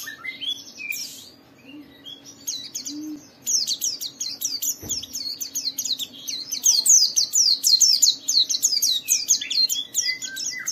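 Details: ["White-eye in full 'gacor' song, played to prompt other white-eyes to open their beaks and sing. Rapid, dense run of high, thin chirps and twittering notes, growing louder and busier after a few seconds over a faint low hum and one sharp click."]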